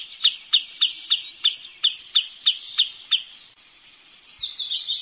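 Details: Wood sandpiper giving about eleven sharp, high chipping notes at an even pace over three seconds, followed after a short pause by thin, descending high twitters.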